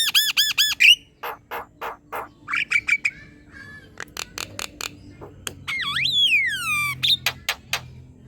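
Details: Black-winged myna singing a chattering song for training other birds: rapid harmonic squawks, sharp clicks, a long swooping whistle and repeated short notes, varied and energetic.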